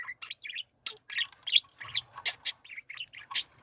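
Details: A group of pet budgerigars in chorus, trading short chirps, clicks and rasping, grinding notes in rapid, uneven bursts.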